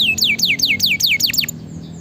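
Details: Lively canary singing, used to train and stimulate quiet canaries: a quick series of about seven sharply descending slurred whistles, evenly spaced, then a soft tail of faint notes over low background hum.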